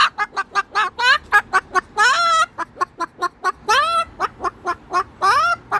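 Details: Moluccan cockatoo at home after yelling at a magpie on the roof: short, staccato clucking "bok" notes broken by three rising, wavering squawks.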